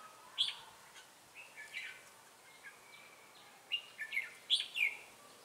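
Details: A Ché-type red-whiskered bulbul used as a decoy to lure wild birds, recorded on 25 June 2018 in Bình Phước, Vietnam, sings quick chirpy whistled phrases. Two louder bursts come near the start and near the end over a quiet background.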